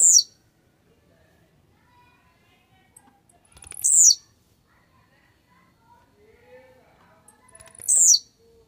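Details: Blue-black grassquit, described as warmed up and grumpy, gives short high buzzy sweeping notes that drop in pitch, about every four seconds, three in all, over quiet background with faint low murmurs.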